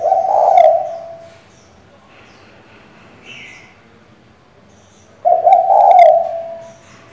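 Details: Female spotted dove cooing to call a male and stir a decoy bird: two low, throaty coos about five seconds apart, with a short faint higher note between them.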